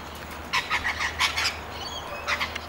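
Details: Lorikeets feeding at dinner time in Wamberal give harsh, rasping screeches in a quick run of about six bursts, then a few thin whistles and one more screech over a low hum.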